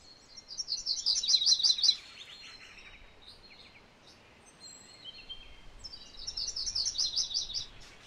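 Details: MacGillivray's warbler delivering two bright, rolling song phrases about five seconds apart, each a rapid string of high repeated doublets ending in a few lower notes, with soft distant bird notes between them.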